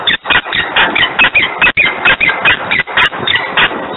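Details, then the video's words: Loud, scratchy repeated cries from a screaming peregrine falcon, Włocławek, 3 December 2020, 10:36. The cries come in a fast, irregular run of rough notes with a few short pauses. "Glinka rozwrzeszczana 10:36 Włocławek 3.12.2020 sokół wędrowny"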